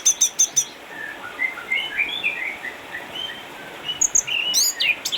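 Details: Orange-headed thrush, eight years old, caged in Sukabumi, Indonesia, an ex-champion retired by cataracts, opening with four rapid identical high chips, then soft varied whistles, ending with sharp descending notes.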